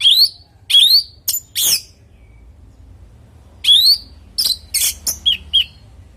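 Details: Orange-headed thrush singing, used as a lure to get other thrushes to reply: loud, high whistles that sweep upward, along with sharp chirps, come in two clusters separated by a quiet pause.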